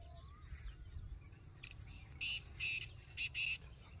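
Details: Black francolin's harsh call: four grating bursts in two pairs in the second half. A soft low whistle and a steady low rumble are heard earlier.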